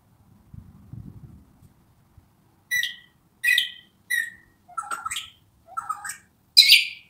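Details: Wild Australian magpie being hand-fed sings six short, loud, gurgling fluted phrases, some dropping in pitch, about one a second, after a low rumble at the start.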